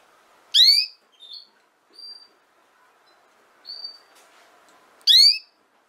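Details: Canary recording aimed at young canaries learning to sing: two loud, rising, harmonic notes about four and a half seconds apart, with quiet short whistles between.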